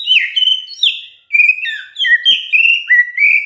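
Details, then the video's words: Continuous gacor singing by a white-rumped shama: pure whistled phrases that slide downward, one after another, with little pause between them. "DENGERIN INI MURAI BENGONG LANGSUNG BUNYI GACOR"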